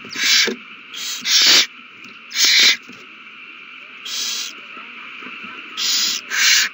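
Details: Owls at a nest during a mouse-handover frenzy on 21 March 2020: around seven rough, breathy hiss bursts in irregular clusters, with a pause of over a second midway.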